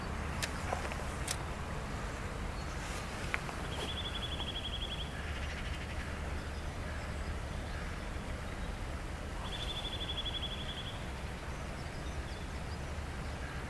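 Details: Common kingfisher in Dortmund on 4 March 2013, giving two thin, high, shrill call series about five seconds apart, each a rapid trilled whistle lasting about a second, over a steady low rumble of traffic and background noise.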